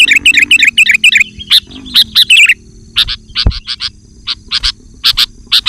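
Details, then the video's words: Sooty-headed bulbul in lively song to call wild birds: quick runs of bubbly fluty phrases for over two seconds, then spaced harsh chattering bursts, over a low background hum. "Suara Burung Kutilang Gacor Memanggil Kutilang Liar"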